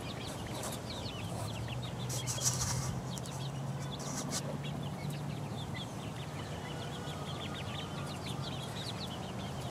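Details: Four-week-old chicks peck around, producing a busy chorus of short, high, rising peeps, several per second, with a burst of scratchy clicks early on and a steady low hum.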